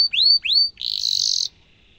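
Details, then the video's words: Brief canary song phrase from a tutor recording for young canaries: two rising whistled notes, then a dense buzzy roll lasting under a second before the song stops. "Kenari gacor ngerol tajam suara kesukaan kenari muda gampang ditiru efektif untuk masteran kenari"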